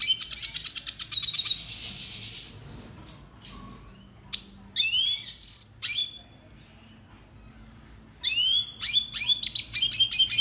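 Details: For song training, a red siskin delivers a rapid high trill blending into a hissing burst, followed after a pause by separate bright rising and falling chirps, then a second chirping phrase.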